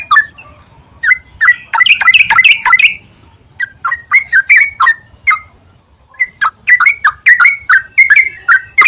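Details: Yellow-vented bulbul song for prompting a caged bird to sing: clusters of bubbly, slurred whistled notes separated by short pauses, rising into quick lively runs.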